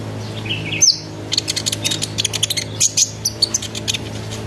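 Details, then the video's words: Sunbird lure song in the ngeriwik, ngerol and nembak styles, used to make other sunbirds sing along: a fast run of short, high, sharp chirps after a few thin whistles, with a low steady hum beneath. "PANCINGAN KONIN NGERIWIK NGEROL NEMBAK GACOR BIKIN KONIN LAIN IKUT BUNYI"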